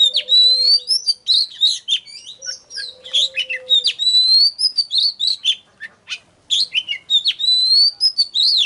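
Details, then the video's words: Oriental magpie-robin singing strongly to lure wild birds: loud phrases of clear rising whistles and rapid chirps, a brief pause near six seconds, with a faint low hum in the background early on. "Chòe than Hót || Kích HÓT CỰC XUNG || Tiếng than MỒI GỌI BỔI"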